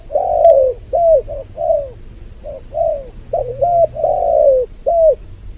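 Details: Lure call of two spotted doves to draw males and females close. A lively string of low coos, some short and doubled, others drawn out and sinking in pitch, with a steady soft hum behind.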